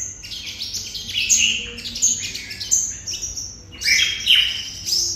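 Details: Red-whiskered bulbul of Đồng Nai, Vietnam, in 'hút mật' song: crowded high chirps and warbling slurred notes in short energetic bursts, nearly continuous.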